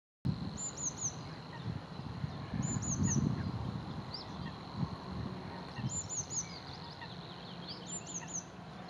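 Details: A bluethroat sings in reeds, giving short, high, thin bursts of three or four quick notes, repeated every two to three seconds, over a steady low rumble of wind.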